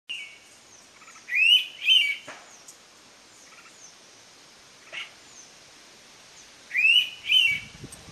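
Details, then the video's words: Indian pitta, locally navrang, at Abloli in the Konkan region: a crisp two-note whistle, both notes short and slightly rising, given once early and repeated about five seconds later; faint chirps from other birds in the background. "Indian Pitta Call / नवरंग"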